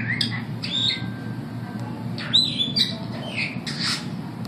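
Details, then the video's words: Captive superb starlings at the St Louis Zoo on 15 September 2012 give rapid chattering squawks and bright downslurred whistles, with a continuous low hum in the background. "Superb starlings singing at the St Louis Zoo."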